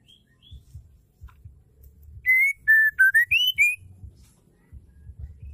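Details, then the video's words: Female white-rumped shama song, used to excite males: one phrase of about six clean whistled notes, level, falling, then rising, over low background rumble and soft knocks. "Murai batu betina | Murai betina gacor"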